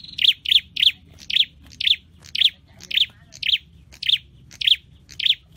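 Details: Scarlet-headed flowerpecker, a caged bird being trained to sing, repeats a sharp high chirp steadily about twice per second, ten notes in a row, over quiet low background noise.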